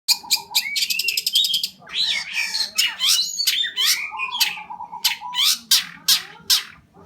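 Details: Long-tailed shrike in lively full song, a rapid varied medley of sharp repeated chips, harsh squawks, buzzy notes and mimicked phrases, with short pulsed trills and a steady low whistle between bursts.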